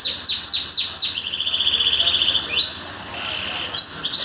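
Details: Songbird singing a high, fast series of sharp downslurred notes, then a rapid buzzy trill, followed by rising whistled sweeps and a final burst of bright chirps, with faint background noise.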